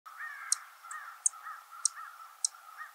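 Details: Savannah sparrows in breeding season at Heaven Hill near Lake Placid, Essex County, 19 June 2023, giving short, dry, very high chip notes, four sharp ticks roughly every 0.6 seconds, over a softer, lower continuous warbling background.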